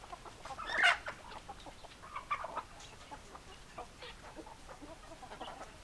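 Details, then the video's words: Chickens, hens among roosters: one sharp, loud squawk near the start, then a scatter of softer clucks and short calls from several birds over a steady background hiss. "Chicken Sounds Noises Hens Clucking Roosters Crowing"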